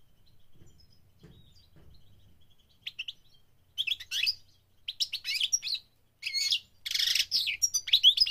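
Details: Goldfinch song during migration, heard after a quiet opening: bursts of rapid, high twittering and tinkling notes with buzzy trills, growing denser and louder over the last five seconds, with faint low rumble beneath.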